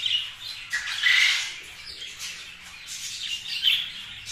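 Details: Pet budgerigar warble: a run of rapid, grating chirps and squeaky notes, loudest around one second, then softer scratchy chatter with a few sharp tweets toward the end.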